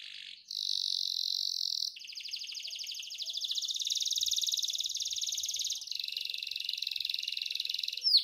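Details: Canary (Serinus canaria) sings a long, continuous song of high rolling trills and buzzy chattering phrases, shifting pattern every couple of seconds without pause.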